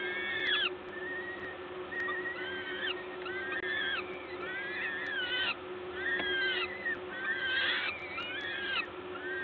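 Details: Peregrine falcons being fed at the nest, Gdańsk LOTOS, Poland, 14 May 2022, 11:07; a long series of wavering, up-and-down squealing calls, bunched and overlapping, louder near the end, with continuous low hum.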